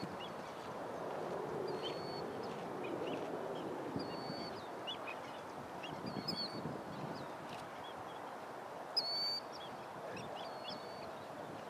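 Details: Killdeer (Charadrius vociferus), call.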